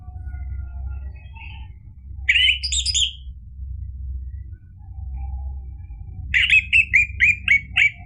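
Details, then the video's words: Lively orange-headed thrush singing used to provoke another bird into song. A short rich warble early on, a long pause with faint notes, then a series of about six clipped, evenly spaced, slurred phrases. "ANIS MERAH GACOR memancing EMOSI jadi BUNYI NYAUT ikut NGEPLONG ampuh buat terapi macet bunyi"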